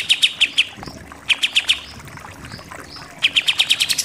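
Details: Short groups of three to four sharp, bright notes from a Pied triller in 'nembak' style, separated by quiet gaps, ending in a faster series; from a tutor recording for contest songbirds.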